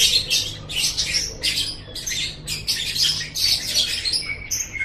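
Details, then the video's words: Lovebird in a pet-bird training recording, repeating harsh, high rasping squeaks in quick succession, ending with a few thinner whistled chirps. "Masteran Suara Burung Love Bird"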